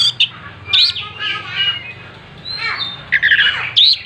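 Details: Oriental magpie-robin singing with its tail spread, giving loud chirps and squawky rasping notes separated by short gaps, with bright whistled flourishes at the start and end.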